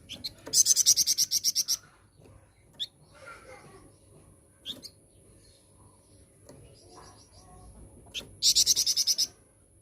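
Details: Flowerpecker used as a lure to provoke other birds to sing: two bursts of rapid, very high, evenly spaced ticking notes, with a few scattered faint chips between them.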